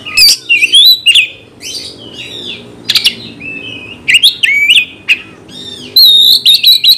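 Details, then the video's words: An Oriental magpie-robin's provoking gacor song, meant to trigger a fight response: separate loud phrases of clear whistles, buzzy notes and sharp clicks, with a repeated high whistled motif near the end and brief quiet gaps. "Kacer gacor bongkar emosi dalam hitungan detik dijamin Kacer langsung tarung ngotot"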